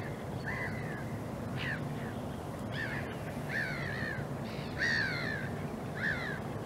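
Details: Goosander pair, the female preening while the male looks uninterested: harsh, grating croaks, about six over several seconds, each a short nasal downslur, over a steady low background rumble.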